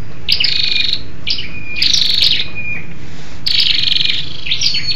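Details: . Female scarlet-backed flowerpecker calling to stimulate males, used as a lure for wild birds; five high buzzy chirp bursts in five seconds, some followed by a thin, lower, even whistled tail, over a steady low background hum.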